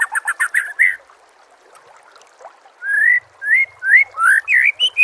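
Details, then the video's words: White-rumped shama masteran tutor audio for training caged birds: a rapid burst of five chattering notes, a pause, then a string of loud, rising, slurred whistles repeated roughly every third of a second. "MASTERAN SPESIAL TAHUN INI AUDIO JERNIH KOMPILASI MEWAH UNTUK SEMUA JENIS BURUNG MURAI BATU"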